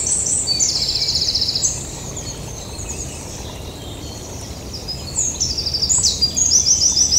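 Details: Yellowhammer singing outdoors: two bursts of rapid, evenly repeated high, thin notes, one early and one late, separated by a quieter gap, over a steady low rumble of background noise.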